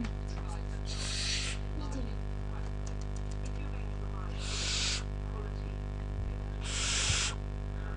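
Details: Bracken, a 4-week-old male pet barn owl wanting out of his cage and climbing the bars, gives three long, breathy hisses, each about half a second, spaced a few seconds apart over a low steady hum.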